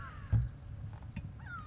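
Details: Grey go-away-birds alarm calling on a sunset safari drive in October, harsh, nasal, falling calls over a steady low rumble of wind or engine; oxpeckers also reacted, possibly to a bird of prey overhead.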